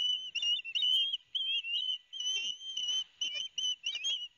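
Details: Piercing, wavering whistles from two noisy young ospreys receiving fish from the father, Barnegat Light, New Jersey, 13 September 2021; notes of varied length tumble together in an irregular chattering series.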